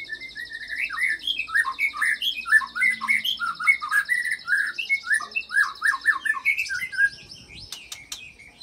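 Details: White-rumped shama singing its filler song of imitated cililin and long-rolling canary phrases, meant to provoke other fighter shamas into singing: dense run of loud, varied whistled and warbled notes, with a steady high buzzy trill running beneath for six seconds.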